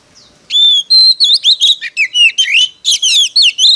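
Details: Oriental magpie-robin used as a decoy in fighting song to lure wild birds: it opens with a long pure whistle, then a fast series of loud slurred, rising and dropping whistled notes and chatters.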